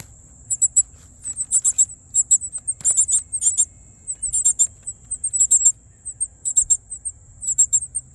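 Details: Hungry Northern cardinal nestlings in a tree nest in a North Carolina yard, recorded by cellphone held up to the nest. Thin, very high chips come in quick clusters of two to four, about once a second, over a steady high whine.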